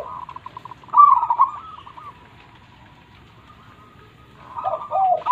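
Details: Local zebra dove in loud song: a pulsed, purring coo phrase early on, a long quiet stretch with soft low hum, then another rolling, throaty cooing phrase near the end.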